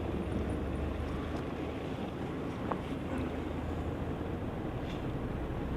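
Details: Heavy low wind buffeting and rumbling noise throughout, with a few faint ticks and no animal calls.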